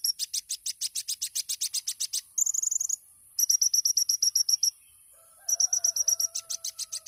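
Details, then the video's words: Olive-backed sunbird (kolibri ninja) with tembakan song: quick, sharp high notes repeated in bursts, a short trilled phrase between them, and a pause with a faint lower whistled note before the fast chipping returns. "MASTERAN KONIN TEMBAKAN MEWAH | SUARA BURUNG KOLIBRI NINJA JUARA"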